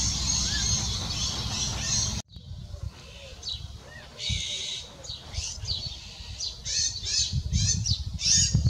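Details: Frightened Iberian magpie fledgling on the ground calling as adults gather to protect it, larger young screaming nearby; hoarse, buzzy high notes in uneven bursts, a brief gap after two seconds, then quicker, denser calling.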